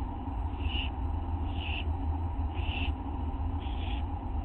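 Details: Owlet begging for food as a parent delivers a small mouse at night, August 9, 1:29 AM; four soft hissing rasps about a second apart over low background hum.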